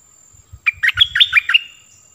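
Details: Decoy bulbul used to lure wild birds, recorded 16 March 2021: a quick burst of about eight bubbly, chattering notes that jump between low and high pitches, lasting under a second, with faint low thumps before it.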